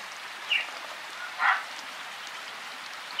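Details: Wild African grey parrot in a rainy forest, with other birds chirping: three short, bright squawks about a second apart, each standing out briefly above a steady hiss of falling rain.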